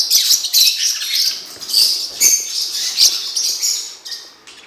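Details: Steady, shrill chattering from a blue-winged parrotlet, with rapid buzzy chirps packed into uneven pulses and short dips between bursts.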